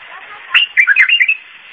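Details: Iraqi bulbul singing in the "zamili" style: a quick bubbling phrase of five or six liquid, warbled notes, rising and falling, over a steady background hiss.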